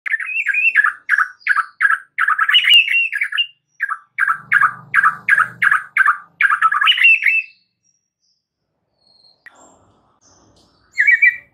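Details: White-rumped shama singing energetically and showing off its fill-in repertoire: fast runs of short, downslurred whistled notes repeated in bursts, a low hum briefly underneath, then a pause and a final note burst.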